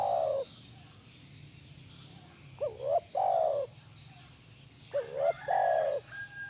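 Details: Spotted dove calling, used to prompt a caged dove to reply: a soft coo, then two phrases of quick hooked notes each ending in a long drawn-out coo, on a quiet background with faint low hum.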